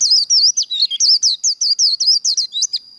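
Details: Japanese white-eye singing the rapid contest-style líu song, trained and fired up for singing contests: a fast, unbroken run of high, twisting whistled notes, about five per second, with no other sounds.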